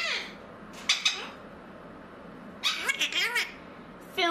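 Blue-crowned conure giving a few harsh, raspy squawks and a warbled, chattering burst, in short spurts over a quiet room.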